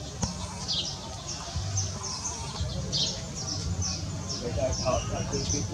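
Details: A caged pied fantail gives thin, high, squeaky chips about once a second, with a low background rumble and people talking quietly.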